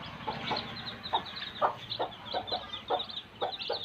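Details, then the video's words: Village baby chicks giving a run of high, thin peeps with spaced low clucking pulses roughly every quarter second, over faint background hum. "Baby chicks sound effect"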